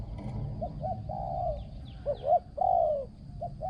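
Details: Decoy spotted dove with a small, resonant voice and good coo phrasing. Soft stuttering notes build into long, throaty coos, with faint high chirps from another bird above a low background hum.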